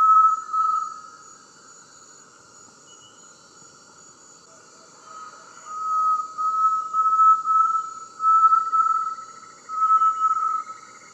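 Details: Inhambu-serra tinamou song, sixth in a list of tinamou songs: long, pure, level whistles at one steady mid pitch, with a first short note and then a string of drawn-out tones with brief gaps.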